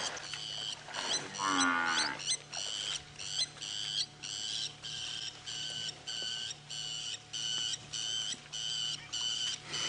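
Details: On a dry late-June 2016 afternoon safari drive in the Djuma Game Reserve area, a very upset lapwing, wings open, shouts at and chases a buffalo, giving loud, harsh, metallic alarm notes almost twice a second over a low engine hum; brief rasp near start.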